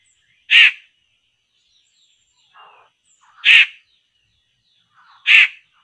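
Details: Laughingthrush, known as poksay, calling near traps: three loud coarse rasping bursts roughly every two and a half seconds, with soft low chatter between them.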